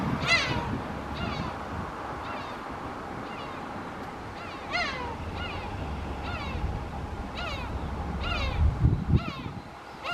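Black-tailed Gulls give nasal, cat-like mewing calls, about ten in ten seconds, some overlapping, over a steady low rumble of wind or surf.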